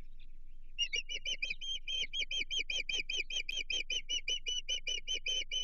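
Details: Osprey calling at a Chesapeake nest on 15 June 2023 as a stranger approaches: after a brief quiet start, fast, insistent whistled cheeps follow at roughly four per second, piercing and even, with a faint low hum beneath.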